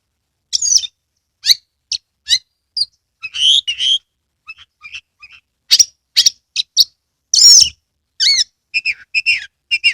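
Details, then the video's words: Kebumen, Central Java Oriental magpie-robin with fanned tail, singing spaced bright whistles and chips, soft quiet notes mid-way, then a burst of loud slurred whistles and rapid twittering toward the end. "Kacer gacor"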